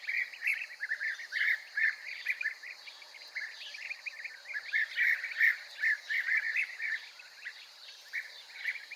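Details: European bee-eaters around a courtship food "gift" give a steady stream of rolling, liquid 'prruip' calls, several birds overlapping at a quick pace with faint background hiss.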